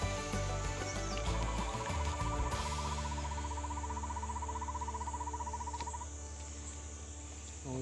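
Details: An Asian barred owlet in a tree in Vietnam's Dalat Highlands gives a rapid, even trill of beaded notes at a steady mid pitch for about five seconds, over a low constant rumble.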